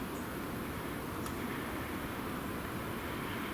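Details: A steady broadband rumble like distant traffic or wind fills the whole stretch, with no animal calls.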